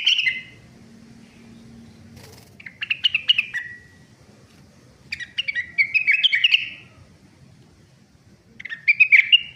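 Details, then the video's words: Young Sunda laughingthrush beginning to sing: four bursts of chattering, twittering phrases with bright rising and falling notes, spaced by pauses of about a second or two, over a quiet low hum. "BURUNG RENGGANIS MUDA mulai bunyi terus"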